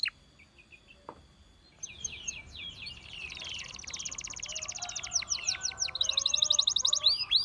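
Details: Canary song to entice other canaries to sing. After a quiet start with a thin steady whistle, rapid trills and quick slurred notes build up over a noisy, hissy background and grow louder toward the end.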